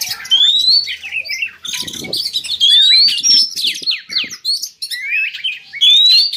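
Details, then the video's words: Oriental magpie-robin song played as a lure to stir breeding drive in kept birds: long, varied, loud phrases of rising whistles, slurred warbles and scratchy notes, with a bright upslurred whistle recurring about every three seconds. "Suara pancingan kacer agar birahi naik"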